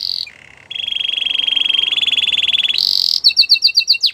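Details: Belgian canary song from a canary: a short high note, a brief low trill, then a long pulsing roll that climbs slightly in pitch, followed by a run of bright, rapidly repeated high chirps.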